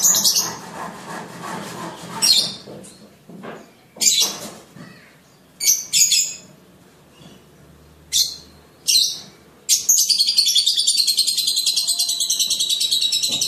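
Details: Young blue (sibiru) lovebird at the mastering stage of training, giving ngekek song: scattered sharp high chirps and squawks, then a sustained, rapid, buzzy chattering trill running unbroken for about four seconds.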